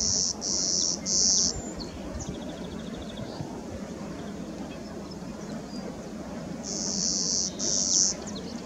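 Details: A Clay-colored Sparrow on the JI Sideroad, Bruce County, Ontario, a grassland road with shrubby areas, on 2 June 2018, gives two buzzy songs of flat, insect-like buzzes, three then two, high-pitched and even, over a steady low rumble.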